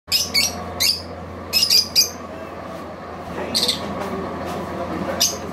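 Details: Lovebird giving shrill, high squawking chirps in short clustered bursts, several quick notes close together and then pauses, over a steady low hum.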